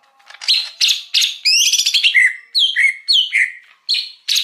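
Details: Dense, varied singing of a wild greater green leafbird used to attract birds: sharp notes, a buzzy trill, and a chain of sliding whistled slurs in quick succession.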